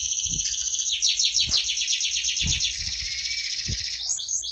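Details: Canary in sustained song: a dense, rapid trill of high repeated notes with a short whistled tone near the end, accompanied by soft low thuds.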